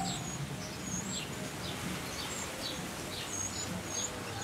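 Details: Young European wrens in the nest during final feedings before leaving. Soft, high, descending chirps repeat at an uneven pace, with occasional thin whistles over a hissy background.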